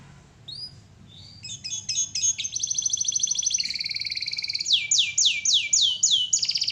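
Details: Canary song for masteran training: brief calls, then a long high rapid trill dropping to a lower buzzy roll, ending in a series of loud downward-sweeping whistles and a final trill.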